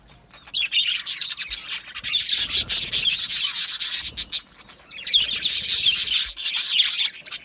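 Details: Colony of Australian budgies in an aviary, chattering in two dense bursts of scratchy, rasping chirps separated by a brief quieter gap near the middle.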